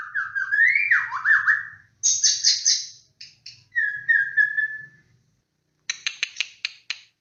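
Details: White-rumped shama (murai batu) lure song: wavering mid-pitched whistle, a harsh high burst, a steady flat whistle, then a quick series of sharp clicking notes after a pause.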